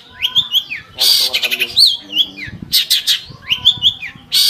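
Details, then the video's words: Long-tailed shrike singing a busy mix of slurred whistles, scratchy buzzy bursts and quick chattering notes, with faint low background sounds. "Suara Burung Cendet | Gacor"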